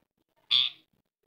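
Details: A pet green ringneck (rose-ringed parakeet) gives one shrill, harsh squawk lasting about a third of a second, high-pitched and steady, in an otherwise quiet room.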